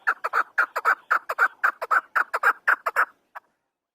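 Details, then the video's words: Afghan chukar partridge (chakor) giving loud, harsh chuck notes, many in close pairs, in a rhythmic three-second burst that stops abruptly, followed by one faint final note. "Afghani chakor voice | Hunter Afghani chakor sound | chakor ki awaz | chakor bird sound"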